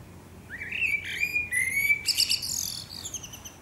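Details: A Eurasian blackbird sings at sunset in Akersloot, Netherlands, 30 March 2018: a rich, fluting phrase of warbled notes rising into a higher, scratchy twittering ending.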